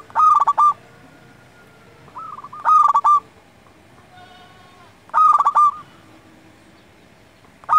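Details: Local zebra dove in full song, used to lure and tutor other doves and rouse their breeding urge: mellow, trilled cooing phrases with a stuttering start, repeated roughly every two and a half seconds, faint softer coos between, over low background hiss.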